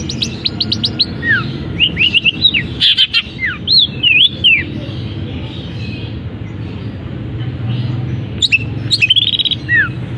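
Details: Long-tailed shrike in a cage, singing just after its cover is opened, its song filled with canary-like phrases and other mimicked birds; a few quick chirps, then slurred whistles falling and rising, a pause, and a final burst of sweeping notes.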